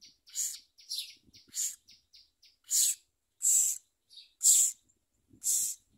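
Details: Common myna chicks being fed worms and locusts by the adults give harsh, hissing, rasping shrieks in short bursts about once a second, some louder and longer than others, with faint low thumps between them.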